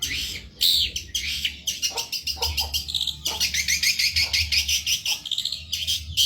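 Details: Cendet (long-tailed shrike) from Indonesia, singing fervently in a tutor recording. A fast, churring stream of high, tightly packed chattering notes runs almost continuously, broken by a few sharper squeaks, with a soft low hum beneath.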